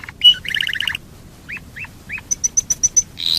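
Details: Domestic canary singing as a lure to set other canaries singing: a sharp note and buzzy trill, three upslurred whistles, then six evenly spaced high ticks and a closing sweep.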